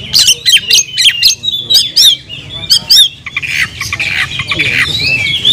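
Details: Kacer, the oriental magpie-robin, in full song: a series of sharp, harsh repeated notes about twice a second, then a rapid warbling run of twisting whistled phrases, over a faint low hum.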